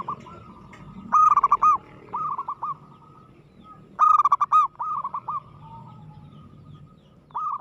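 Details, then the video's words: Aggressive, vocal local zebra dove (perkutut): two loud rolling coo phrases about three seconds apart, each followed by softer trilled coos, with a further phrase starting at the end over faint low rumble. "suara perkutut gacor agresif mental baja"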